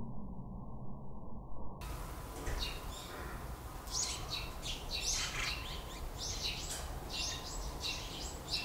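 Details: Eurasian tree sparrow fledglings newly out of the nest, running toward their father, filmed on a Sony α7 IV; many thin high chirps crowd together in the second half over steady rushing background noise.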